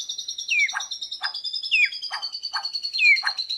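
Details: Bornean white-rumped shama, a young bird learning to sing loudly, answering a lure recording with chest feathers fluffed; clear whistles slide downward, each followed by a short burst, repeated about every 1.3 seconds over a steady high ringing tone.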